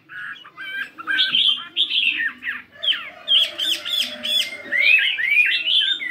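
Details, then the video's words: Chinese hwamei fighting bird, 72 grams, singing a varied, voice-switching song in the morning. It mixes harsh, squawky notes with sharp upward whistles and looping slurs, growing denser and louder toward the end. "Tiếng Chim Hoạ Mi Chiến 72gam Hót Đảo Giọng Rất Hay"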